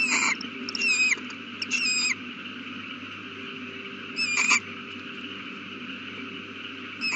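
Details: Owl at its nest with a newly hatched chick, 8:32 pm on April 18, 2019. Four short raspy screeching calls, each with a thin downward-slurred tone, come in two close pairs and then singly, over a steady low electrical hum.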